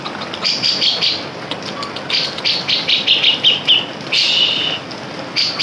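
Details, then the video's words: Grey-cheeked Bulbul (cucak jenggot) in lively, continuous song, used as a lure and tutoring sound for training other birds: high, sharp chirped notes in uneven bursts, a run of quick repeated notes, then a longer harsh buzzy burst. "pancingan cucak jenggot gacor bocor cocok buat masteran"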